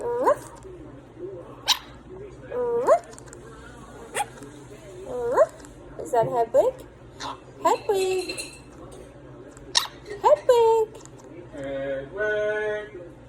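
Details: Quaker parrot talking: a run of short speech-like words, some with a rising inflection and others falling, separated by brief pauses. The bird ends with a buzzy, harsher phrase, and faint background noise runs throughout.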